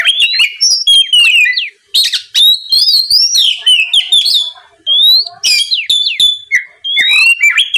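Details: Ngeplong-style singing by an oriental magpie-robin, played to draw rival birds into song: dense, continuous torrent of clear whistles and warbled slurs with hardly a break.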